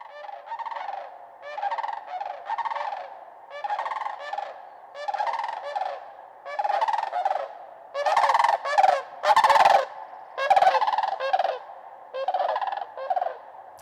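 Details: Sandhill Crane bugling during fall migration along the Colorado Front Range, where large flocks are often heard before seen as they head south to wintering grounds; rolling, trumpeting rattled calls in repeated bursts, several birds overlapping and growing louder toward the end.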